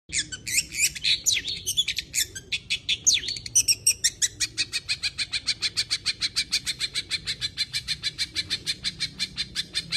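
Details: Long-tailed shrike with a busy, full song: a rapid jumble of harsh chattering notes that settles into a steady run of scratchy, evenly spaced pulses, about five per second, against a low background hum.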